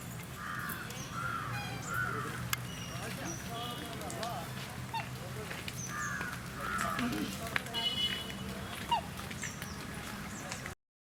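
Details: At Mysore Zoo, black swans give soft, wavering bugled notes in short bursts, with crowd chatter, a steady low hum and small birds chirping high behind.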